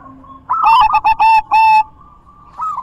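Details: Zebra dove song, used to get silent doves singing again: one loud, rolling phrase of quick stuttering coos followed by a faint sustained tone and a brief final note.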